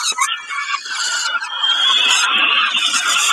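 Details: Snack time for peregrine falcons at Kawęczyn, dated 20 05 22: a quick harsh note, then a steady, drawn-out grating whine held with hardly a break.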